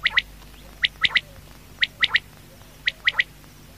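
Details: Quail calling at night: clear, snappy triplets of high notes, a single note followed by a quick pair, repeated about once a second over quiet background.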